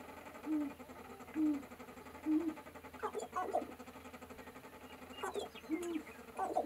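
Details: On a sharp-tailed grouse lek, short low cooing hoots recur about once a second, mixed with brief popping clucks and a few thin high notes over a steady hum.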